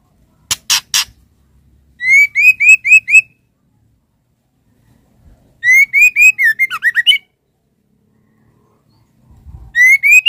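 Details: Female white-rumped shama calling for the male: three harsh rasping bursts, then runs of six or seven quick identical whistled notes repeated in series, one ending in twisting chattery notes. Faint low background noise.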